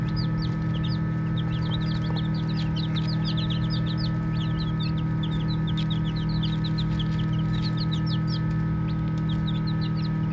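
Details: A dense stream of high, thin peeps from a group of playing baby chicks runs almost continuously, the calls overlapping, over a persistent low hum.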